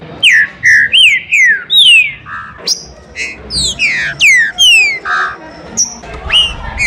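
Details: Green-winged saltator singing in the rain in a town square, a warm-up and singing stimulus: a long run of loud whistled notes, many sliding downward, mixed with short burry notes and a few high thin notes.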